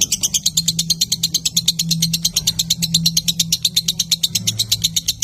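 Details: Lovebird churning out a long ngekek trill for training other birds, rapid shrill pulses repeated steadily throughout, backed by a low droning hum.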